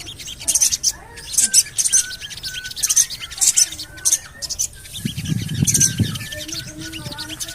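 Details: Repeated high, buzzy chatter bursts from a Javan cochoa used to lure birds into song, with faint thin whistles beneath and a brief low rumble midway through.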